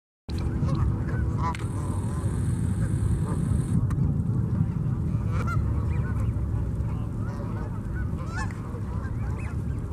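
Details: Canada geese at Memorial Park in Colorado Springs, Colorado, giving many overlapping nasal honks, several per second from a flock, over a steady loud low rumble.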